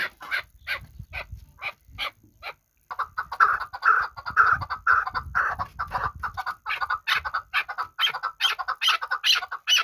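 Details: Kabodiyon hunting chukar partridge keeps up a long, rhythmic chatter of rasping chuk notes, briefly pausing, then resuming louder and faster, with low rumbling noise underneath.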